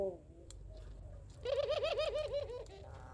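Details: Barbary dove (puter pelung) calling back at a rival: after quiet faint coos, a loud burst of rapid rolling, undulating coo notes lasting about a second, indoors.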